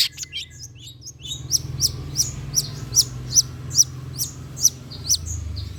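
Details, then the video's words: Lure recording of long-tailed shrike song meant to set shrikes singing: some faint notes, then a steady run of about nine short, high, sharp chips roughly every half second over a soft low hum. "PANCINGAN CENDET TERBAIK, SEMUA JENIS CENDET PASTI NYAUT BUNYI DIBUATNYA"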